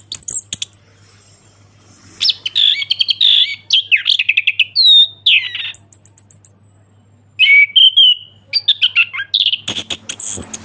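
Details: Orange-headed thrush song of the ngeplong type, with bursts of mixed chirps, slurred whistles and a few high trills separated by short silences, and a faint hum throughout.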